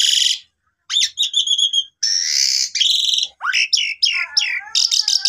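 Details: Pied myna singing as a lure for mynas gone quiet: high buzzy bursts, a harsh rasping stretch, then upward-sweeping whistles and a wavering lower warble.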